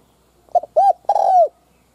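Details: Decoy spotted dove calling to lure wild doves: a single close phrase of a stuttered opening, one round coo and a long, slightly falling hollow note, loud and clear.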